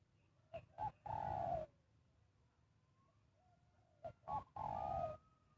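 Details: Spotted dove used to lure wild birds for trapping: two three-part cooing phrases, two quick soft notes then a long falling coo, each with noisy rustling bursts, separated by quiet with faint distant calls.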